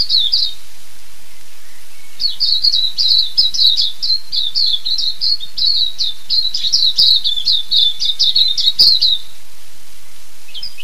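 A silvereye sings a fast, high, twittering warble of thin chirps run together for about seven seconds, with short bursts before and after.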